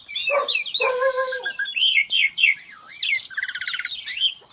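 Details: Black-winged myna delivering a loud, varied song of nasal held notes, squeaky whistles and a rapid buzzy rattle, with some sharp rising calls at the end.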